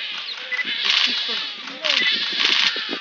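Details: Painted stork chick begging its mother for food, beak open; hoarse, bleating, rasping bursts, loud and broad, in two main pulses with softer chatter between.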